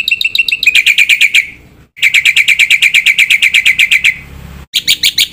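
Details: Gacor black-winged myna with full isian: fast runs of loud, piercing chip notes, about three a second, broken by two short silences. No other sounds are clear.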